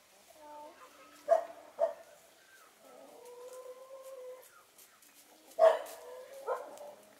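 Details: Sunbathing hens of Spanish white face and Australorp black breeds; two sharp abrupt squawks, a drawn-out steady moaning note lasting over a second, then another loud harsh squawk with a trailing call.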